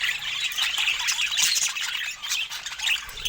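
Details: Happy-sounding budgies sharing fruit give a short burst of lively chatter, with squeaky chirps and scratchy squawks layered tightly together.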